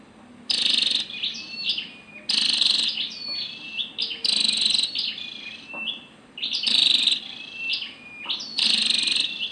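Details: Calls of a female Scarlet-backed flowerpecker: loud high buzzy bursts roughly every two seconds, each followed by thin descending ticking notes, with a faint low hum beneath.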